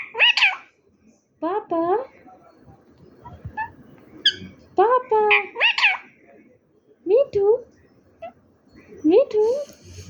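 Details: Talking parrot producing clusters of word-like syllables with bending, rising pitch and a strained, reedy tone, separated by brief silences, plus occasional sharp high squeaks.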